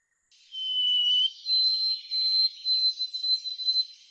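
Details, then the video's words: A White-throated Sparrow sings its musical "Oh Canada" song: a pure, clear whistle stepping up from a lower note to a long high tone, then repeated wavering high notes. "this is kind of a human construct but what I'm talking about is that some sparrow songs seem very musical like this white-throated Sparrow song"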